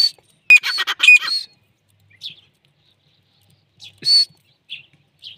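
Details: Female Deccani grey francolin calling: a quick burst of harsh, squawking notes in the first second, then scattered short high notes separated by pauses.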